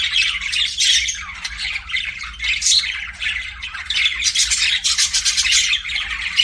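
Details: Pet budgies chirping in long runs of scratchy warbled chatter and squawks, rhythmic pulses of sound rising and falling, several birds overlapping over a low steady hum.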